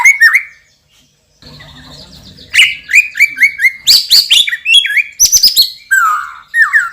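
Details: Loud-voiced champion white-rumped shama: short whistled phrases, a pause, a buzzy passage, then a fast medley of sharp high notes and slurred whistles.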